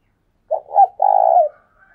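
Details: Spotted dove used as a decoy, calling eagerly: a single low cooing phrase of two short hollow notes followed by one drawn-out, vibrating coo, in a quiet setting.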